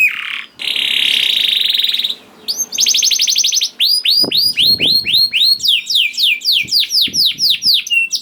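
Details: Juvenile canary singing to stimulate other canaries: a short falling note, a long harsh buzzy rattle, a bright trill, then steady series of rising whistled sweeps repeated about four times a second.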